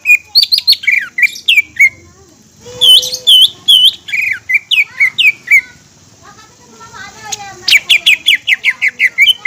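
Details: Energetic green leafbird song meant to provoke other leafbirds: varied whistled phrases with looping high notes and downslurred chips, ending in a fast rattle-like series of sharp notes.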